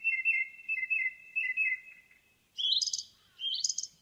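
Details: Indigo bunting singing in a forest: quick paired chirps alternating between two pitches, then two higher, rising sweet phrases.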